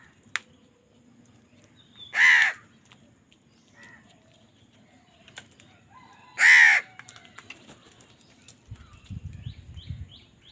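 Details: Two widely spaced, hoarse caws from a crow fighting for food, with soft background chirps and a low rumble near the end.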